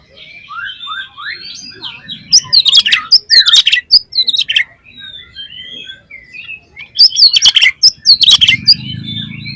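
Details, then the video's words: Oriental magpie-robin giving a loud, open lure song meant to stir other magpie-robins into singing their repertoire: soft chattering twitters, then bursts of sharp whistled up-and-down sweeps and clicks, resuming after a quieter pause. "PANCINGAN KACER BOCOR ALUS ‼️ NGEPLONG BIKIN GAIRAH KACER LAIN CEPAT BONGKAR ISIAN"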